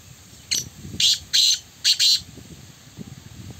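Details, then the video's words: Black francolin in a calling contest: loud harsh grating notes in a broken sequence of about five bursts, a short one then longer rasping ones, over low background rumble. "Kala Teetar Ka Muqabla Black Francolin Match Kala Teetar Ki awaz"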